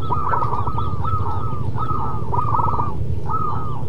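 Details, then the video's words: Zebra dove of a local strain giving drawn-out, level, purring coos with a trilled texture, repeated about once per second against a low rumble. "Perkutut MASTERAN BUNYI Manggung Terlama"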